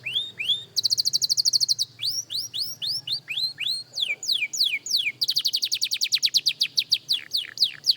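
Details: Beginner young canary at singing practice, opening with two upward-swept whistles, then a fast rattling high trill, a run of rising whistled notes and downward slurs, and another quick trill; a faint low hum underneath.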